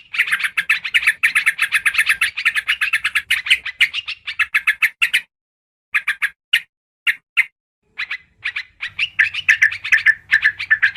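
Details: Lure call of the yellow-vented bulbul (trucukan karuang): a long, rapid string of harsh chattering notes. It breaks into spaced single chirps after a pause, then a quieter continuous chatter returns.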